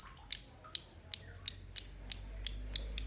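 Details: Green lovebirds, two together, delivering the long ngekek chatter: a steady string of sharp, high 'kek' notes repeated about three times a second, each bright and clipped, with a faint low hum underneath.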